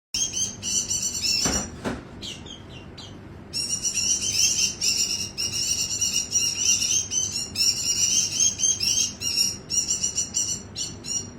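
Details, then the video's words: White-eye singing persistently: rapid, high, thin twittering phrases run almost without pause, bright and jingling, with one short gap early on and a sharp knock near the start over a low, faint background hum. "burung Mata putih gacor"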